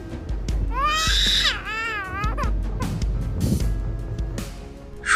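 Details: A black-coloured starling gives two bursts of wavering, warbling whistles with a rippling tone, over a steady low hum and background music.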